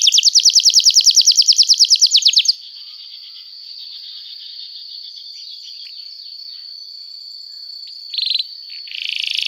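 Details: Canary giving a rapid, rattling trill for about two seconds, then near silence with a thin, faint, high steady tone and a brief buzzy note near the end.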